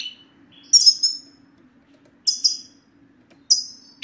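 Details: European goldfinch satsata aimed at silent males: sparse doubled high chirps, each a bright downslurred note, arriving in three well-spaced bursts over a quiet steady low hum.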